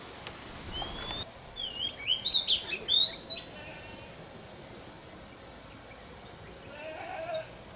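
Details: Oriental magpie-robin feeding its young, filmed from a camera placed up high; a short run of sharp, high chirps and whistled notes clusters in the middle, over steady background hiss.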